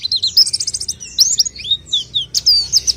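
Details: Orange-headed thrush main song with varied high whistles, dense trills and slurred notes in bursts separated by brief pauses, some phrases rising and others dropping, over a quiet low background rumble.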